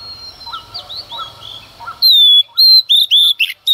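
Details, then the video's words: A female Oriental magpie-robin sings intensely in the early morning to provoke males. Faint looping notes open, then loud sustained whistles and quick buzzy flourishes follow in rapid alternation. "Choè than mái hót kích trống hót căng sáng sớm"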